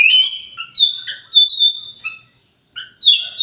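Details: Oriental magpie-robin song built from clear, sustained whistles at steady pitches, with short slurred notes and a few scratchy accents between them. A brief silence comes before a final bright whistled phrase.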